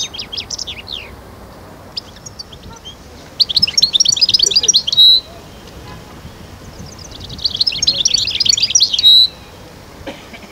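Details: A European goldfinch of the Constantine 'khalwi' type, recorded in Algeria in 2012, sings two bright, rapid bursts of tinkling, twittering song, each about two seconds long and ending on a drawn-out high note, with scattered chirps between.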